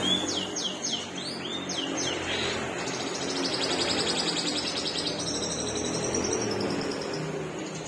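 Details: Long-tailed shrike with a split beak, a kept songbird showing rich song material in long bursts: rapid, high falling chirps open, then a long, buzzy, rattling high trill runs on continuously.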